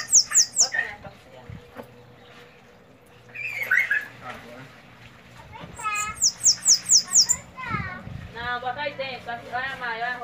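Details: Sibite, a Bananaquit, singing in the Belgian style: bursts of very high, thin, descending buzzy notes in quick runs, with slurred warbling phrases lower down and a steady low hum behind.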